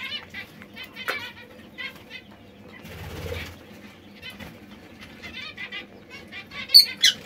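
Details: Small white zebra finches in captivity give rapid, buzzy, nasal chatter throughout, with a soft rustling burst near three seconds and louder sharp calls near the end.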